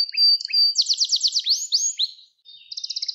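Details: Gloster canary song used to stimulate canaries: short whistles, a loud trill of repeated slurred notes, rising sweeps, a brief pause and then a quick high rattle.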